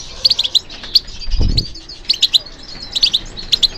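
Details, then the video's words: Goldfinches responding to stimulation with clusters of sharp, high twittering chirps in quick groups, interrupted by a brief low thud near the middle. "How to encourage the goldfinch to respond to stimulation"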